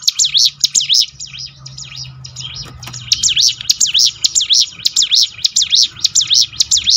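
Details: Bar-winged prinia singing for a lure track that trains birds to sing more often: softer high twitters open, then a long, loud string of rapid looping chirps repeated evenly to the end.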